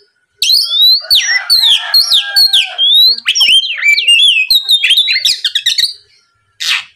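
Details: Energetic Oriental magpie-robin song, used as a lure to make rival birds sing back. Rapid cascade of varied whistles, slurs and chattering notes for about six seconds, then a short rasp after silence.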